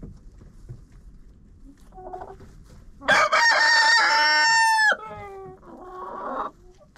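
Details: Chicken inside a friend's coop, recorded by a GoPro: low murmuring clucks, then a powerful crow of about two seconds, harsh and held level before dropping off, followed by a softer run of throaty clucking.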